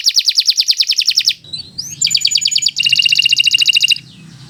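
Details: Canary of the Kenari Nusantara type singing: a rapid even trill, a short twittering break over a low hum, then two more fast pulsed trill phrases, fading to quiet background hum.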